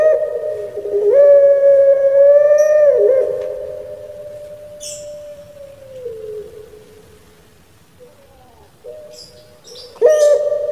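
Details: Pelung Barbary dove, a kept bird famous on Java, Indonesia, sounding its "crying" song: a strong raised coo held for seconds, sagging and fading, quiet wavering notes, then a loud renewed phrase.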